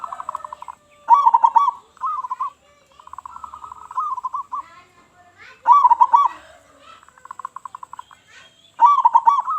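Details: Local Zebra dove with a loud voice, used to lure other doves: repeated bubbling coo bursts every few seconds, each followed by softer rippling trills and runs of rapid pulsed notes.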